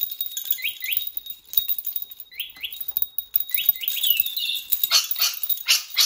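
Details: A pet rainbow lorikeet, obsessed with bells and excited whenever they are touched, gives quick, sharp upswept chirps, often in pairs, over a steady ringing tone and bursts of jingling bells.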